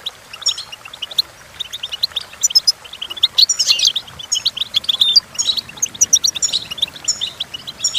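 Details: Goldfinch song for teaching goldfinches to sing, a long, fluent stream of high tinkling twitters, buzzy rattles and thin whistles that rises into a louder, denser burst midway.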